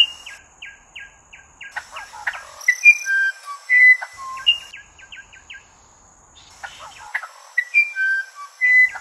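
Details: Musician wren song: clear pure whistled notes at varied pitches, some held and some sliding, mixed with a quick series of short repeated notes and brief buzzy chatter, in two bursts separated by a pause.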